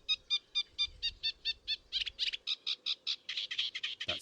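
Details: Eurasian reed warbler at a British wetland in early spring, freshly arrived from Africa, sings from deep in a reed bed: a steady churring rattle of harsh notes, about four a second, shifting from clearer chirps to buzzier rasps, over a faint low hum.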